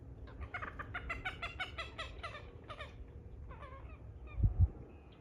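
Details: Common moorhen uttering a fast string of clucking notes that fade away midway, followed by two loud low thumps and a quiet background.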